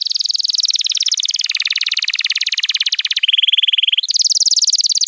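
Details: Canary master song for tutoring young canaries and prompting non-singing birds: a continuous run of rapid rolling trills that switch between several pitch levels, dropping lower, then jumping abruptly higher, with no pauses.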